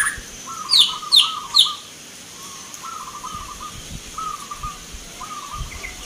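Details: Local zebra doves singing at a Mentaraman-style Nglagu Ngepat song contest in Yogyakarta, Indonesia, 19 November 2023. Mid-pitched, stuttering cooed phrases recur about every second. Three sharp, high chirps from another bird open the recording.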